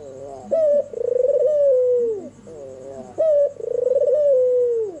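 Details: Albino, red-eyed white Barbary dove calling at night, two full phrases, each a sharp clipped note followed by a long, purring, gently falling coo about a second long.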